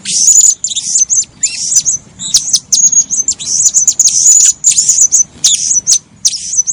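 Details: Blue-crowned hanging parrot calls, suited for luring birds when trapping: a dense run of shrill, very high, thin chirps and short squeaky whistles, in quick bursts with brief gaps over nearly seven seconds.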